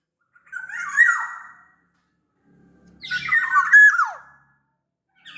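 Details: Big-bodied black-naped oriole from Sumbawa, recorded as a lure to make other orioles sing: two loud phrases, each a raspy squawk over whistled tones sliding downward, with a pause between.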